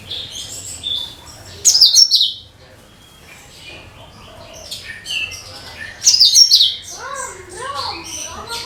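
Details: Lure song of a cucak kinoi (leafbird). Two loud, high, raspy twittering bursts about four seconds apart, with softer chatter and a series of lower, wavering warbled notes near the end.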